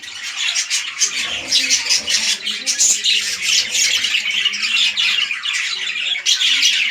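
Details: Caged budgerigars, red-eyed lutino pairing for breeding with a king-size male and undersized female; busy overlapping squawks and raspy chirps run steadily throughout, a steady high chatter.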